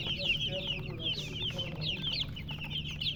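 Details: Baby chickens chirping together: rapid overlapping high-pitched peeps, each a brief falling note, forming a continuous bright chatter over a faint low background hum.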